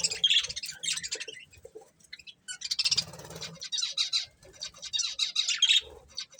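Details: Two budgerigars kept as a breeding pair chirp and warble in rapid scratchy runs, with a few sharp squeaky notes and brief quiet gaps.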